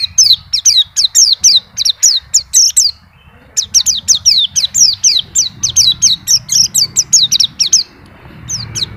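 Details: White-eye sings continuously in long strings of evenly spaced, high downslurred chirps, with a brief pause near the three-second mark and a low background rumble.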